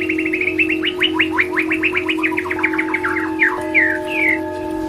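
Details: Audio therapy recording of a white-rumped shama singing, meant to lift a stressed bird's performance: rapid series of sharp, repeated chipping notes ending in slurred whistles, with a steady low hum beneath.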